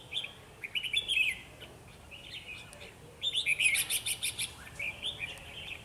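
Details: Red-whiskered bulbul acting as a trapping decoy, singing energetically to draw in a wild bird; bursts of quick chirpy notes alternate with short pauses, and a dense, rapid string of sharp notes comes midway.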